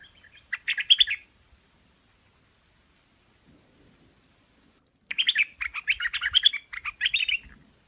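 Chinese hwamei singing in two rich bursts of loud, varied, rapid whistled phrases, the second longer and more jumbled, split by a few seconds of quiet.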